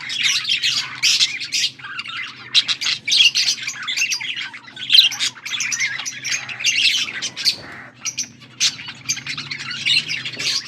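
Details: Budgerigars chattering, recorded August 14, 2024: continuous high warbling and scratchy chirps in clusters, occasional brief pauses, faint low hum in the background.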